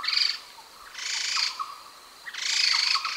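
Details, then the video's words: Grey-headed laughingthrush, often mistaken for the silver-eared laughingthrush, gives three harsh, buzzy, chattering bursts about half a second long, spaced a second or more apart, over faint background hiss. "Tiếng chim khướu đầu xám hay còn gọi là khướu đất, khướu chó"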